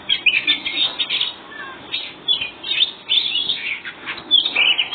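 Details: Very vocal white-breasted Oriental magpie-robin in full ngobra song, delivered to make other birds reply: dense, loud bursts of piercing whistles and rapid chattering notes, rising and falling, sung almost without break.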